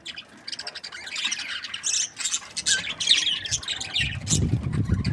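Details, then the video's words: Happy breeding pairs of budgerigars chatter in fast, irregular high chirps and squawks, bursts tumbling over one another, with a low rumbling noise rising near the end. "Happy budgie chirping sounds"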